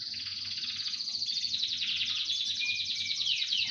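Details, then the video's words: Canary chorus in full voice: a dense, fast, high-pitched rattling trill runs without a break, with a short pure whistled note sliding in toward the end. "Хор канареек. Пение."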